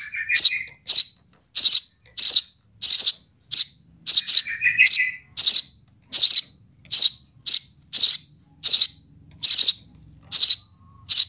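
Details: Eurasian tree sparrow chick calling for its mother with a long series of bright, high chirps about twice a second, broken twice by lower buzzy, rising notes.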